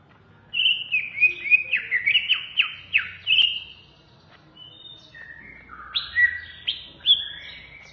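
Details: Greater green leafbird (cucak ijo), a kept songbird, in a masteran recording. Bursts of clear whistled notes with quick downward and upward slurs, a rich phrase, a pause, then a second varied phrase of rising whistles. Quiet background.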